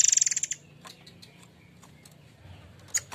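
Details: Murai air mancur in full voice, offered as a lure sound for song training: a loud rattling burst of about ten fast pulses fading out, then quiet with scattered faint ticks and a short sharp note near the end.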